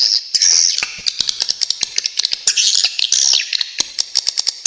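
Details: Swiftlet, in a very clear tutor recording with sharp trills: high thin whistled chirps and buzzy bursts, then a steady series of crisp clicks at the end.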